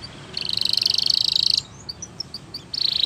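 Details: A Spanish Timbrado canary singing training song: a fast, metallic, rattling trill of rapid pulses held for over a second, then a few scattered high chips, then another rapid trill begins.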